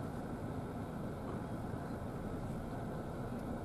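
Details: Continuous low engine drone of an idling vehicle fills the recording, with no animal voices.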